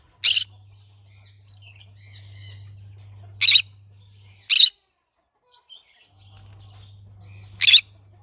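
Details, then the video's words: Four shrill, harsh squawks from a green-cheeked conure at uneven intervals, with quiet twittering between and a low hum. "Green cheek conure bird sounds"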